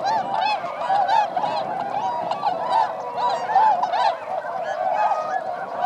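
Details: Swans flying over rice paddies at Motono in Inzai, Chiba Prefecture, Japan, December 2014, where 905 birds wintered; many birds give repeated rising and falling nasal honks, overlapping steadily.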